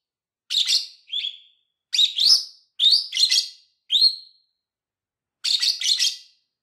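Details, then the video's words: Lovebird chirps and calls, recorded for teaching other lovebirds: harsh, buzzy high chirps in short bursts of two or three notes, with a few clear rising whistled notes between them, separated by silent gaps; nothing else is heard. "CANTO E PIADOS DE AGAPORNIS Para ENSINAR"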